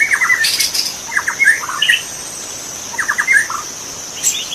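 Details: Wild magpie-robin singing in forest: short bursts of sharp, descending whistled notes and chirps, with pauses between phrases, over a steady high insect drone.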